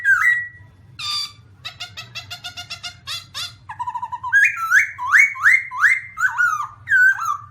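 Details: Black-throated laughingthrush in full song: a rapid rattling run of clipped notes, then loud, repeated, upslurred and downslurred whistles about twice a second, with a faint low hum beneath.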